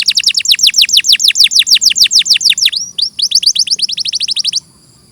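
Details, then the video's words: Canary song from a clear master track: loud, rapid falling sweeps, a short rising whistle, then another quick run of descending notes before stopping. "Masteran suara burung KENARI"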